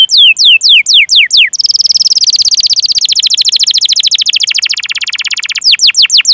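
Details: Canary song used as a training recording to stimulate other canaries to sing: descending whistled sweeps, then a long fast buzzy trill rolled for several seconds, ending in more downward-slurred notes.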